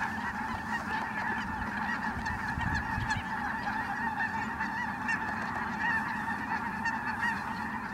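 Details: Flock of Ross's geese arriving at Merced National Wildlife Refuge in December 2017. Many birds call at once, forming a steady wall of high, cackling honks throughout.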